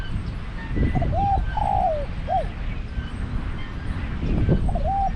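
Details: Spotted dove used as a decoy bird at a trapping pen in Thailand, with low, hoarse three-part cooing phrases, a short coo, a longer falling croon, then a clipped note. One phrase comes early and another starts near the end over steady background rumble.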